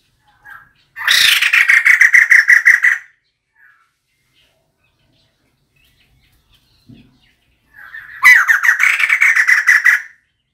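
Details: Two grating, rapid-fire chatter bursts of about two seconds each come from a female White-crested laughingthrush, used for decoy calling. The bursts are separated by roughly five seconds of silence.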